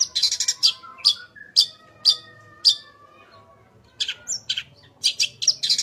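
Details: A long-tailed shrike's full-content song for training captive shrikes opens with a fast run of harsh high chirps. Evenly spaced single sharp notes follow about every half second over faint low whistles, then another quick chirping burst.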